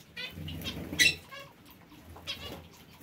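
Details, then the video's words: Caged parakeets in an aviary, short raspy chirps and one loud harsh squawk, with low hum in the background. "Aviary bird | Parakeets"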